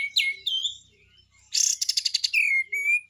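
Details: Besetan singing from a cream-vented bulbul: a downslurred note and drawn-out whistle, a brief low rattle, then a loud buzzy pulsing trill followed by clear slurred whistles.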